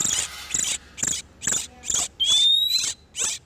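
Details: Breeding-condition oriental magpie-robins, male and female, used to lure wild birds; evenly spaced rasping bursts about twice a second, then one long clean whistle climbing in pitch.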